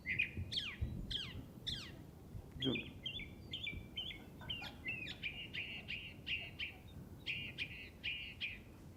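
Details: Northern mockingbird in Lancaster County running through borrowed phrases, including mimicry of killdeers and blue jays: steep downslurred whistles, then a fast string of repeated buzzy notes in short bursts, with faint background noise.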